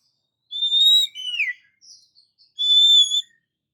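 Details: Oriental magpie-robin song meant to provoke quiet magpie-robins into excited singing: a long, clear, steady whistle, a short whistle sliding downward, a faint brief note, then another long steady whistle.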